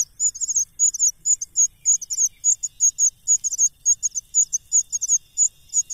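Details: Greedy cuckoo being fed, stuffing food into its mouth and still begging for more: very high, thin chirps in quick doubled bursts, repeated steadily almost twice per second, with no other clear sounds.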